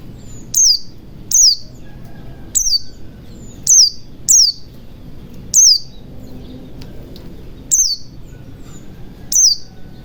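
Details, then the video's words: White-eye ngalas lure for quiet birds: single sharp, very high chirps sliding downward, repeated roughly every one to one and a half seconds over a soft low background. "pancingan pleci macet bunyi agar cepat gacor ,ngalas ,buka paruh"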